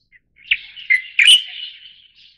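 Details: Light-vented bulbul of the endemic Taiwan subspecies giving one lively song phrase: three sharp accented notes run together into a slurred warble that fades out, clear and unaccompanied.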